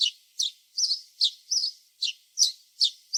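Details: Repeated house sparrow chirps from a backyard flock, each note short and bright, coming in a brisk, uneven string of about two and a half per second.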